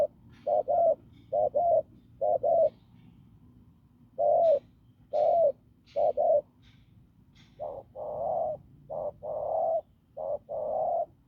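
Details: Hoarse, strong-voiced spotted dove caught from the fields, giving low coos in twos and short runs, the pairs spaced by pauses of one to two seconds and later merging into longer, steadier cooing.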